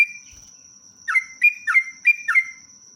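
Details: Sooty-headed bulbul in very active singing form, a long rolling song used as a lure to prompt other birds to sing: five quick slurred whistled notes, each dropping then rising, under a steady high ringing tone.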